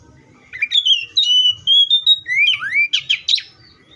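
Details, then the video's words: Oriental magpie-robin singing one loud phrase: sweet whistled notes sliding and holding steady, then a rising swoop and a quick burst of three sharp chirps at the end, with a soft low rumble underneath. "THE BIRD COPSYCHUS SAUCARIS VOICES MUCH LONG LIKE IN NATURE!"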